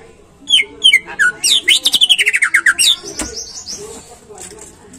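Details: Greater green leafbird song used to stimulate caged birds to sing: a few descending whistles, then a rapid string of about ten down-slurred whistled notes, followed by a thin high trill.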